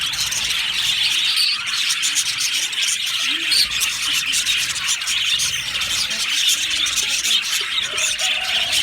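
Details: Chorus of happy budgerigars in an aviary colony, dense continuous high chirping and warbling chatter from many birds at once, steady level throughout with no clear pauses.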